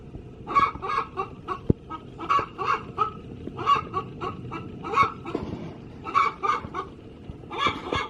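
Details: Hen cackling in its coop before laying, repeated harsh clucks in short groups, somewhat quieter, over a background of low rumbling noise and a sharp knock.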